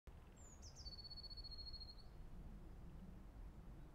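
A blue tit sings a high, thin descending note, then two quick short notes and a steady one-second trill a little lower, over a low background rumble.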